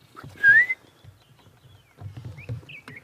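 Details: At sunrise on 2 June 2016 in Sabi Sand, during a mixed bird party, an oriole gives a single loud, liquid whistle sliding upward, followed by fainter whistles from other birds over a low background rumble.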